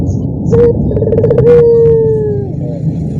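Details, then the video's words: Barbary dove in a shared cage with joining doves: a short note, a quick trill and a long falling coo, partly masked by steady broadband noise. "dorongan puter yang lain ikutan bunyi sekandang"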